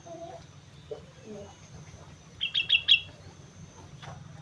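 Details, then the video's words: After some soft low sounds, a sooty-headed bulbul on Mount Slamet delivers a lively (gacor) phrase of four bright, ringing notes. "suara burung kutilang gacor gunung slamet"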